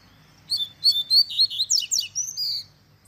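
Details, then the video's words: Tui tui zel zel song of a Double-collared seedeater, played to teach young birds: high, sweet whistled notes repeated briskly, then rapid descending buzzy trills and a final drawn-out whistle, lasting about two seconds in a quiet setting. "Encarte Coleiro Tui Tui Zel Zel Cantando Ao Som Da Natureza"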